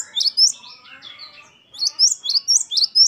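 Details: Wucit2-style singing by a gelatik batu (great tit): a short high phrase, a pause with soft lower warbling notes, then five loud looping high notes.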